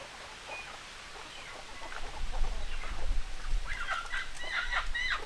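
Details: Hens and roosters clucking together in a busy flock: overlapping short clucks and squawks, growing louder toward the end with higher calls, over a low rumbling background.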